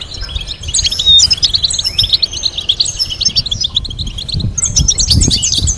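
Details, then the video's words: European goldfinch song meant to teach goldfinches: rich, tumbling twitter with sharp whistled notes and buzzy trills, pausing briefly before a final burst of chirping; soft low background rumble. "Teaching goldfinch to sing complex stimulating melodies"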